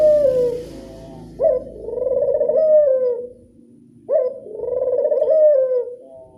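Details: Local Barbary dove, classic angungan cooing: long, soft, low-pitched coos that each begin with a short rising note and fade after about two seconds, repeated steadily with quiet gaps.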